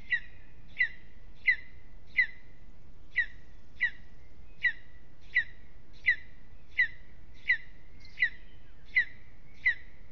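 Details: Restless evening at a lesser spotted eagle nest in an aspen, Aizkuja, Latvia. A long, even series of about fourteen sharp, high kyek-like yelps, spaced roughly 0.7 seconds apart with one brief gap early on.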